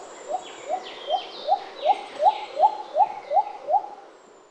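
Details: A shy Little cuckoo-dove, also called Uncal Kouran, calls from the shaded forest in a steady run of ten low upward-swept whoops, about three per second. Thin high twitters from other birds sound faintly behind it.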